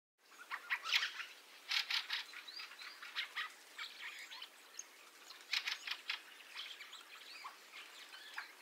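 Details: Fieldfares arriving in an influx, captured with a stereo XY setup and an iPhone: harsh, dry chattering bursts repeated in quick clusters, some overlapping, over a steady hiss of a starling roost in the background.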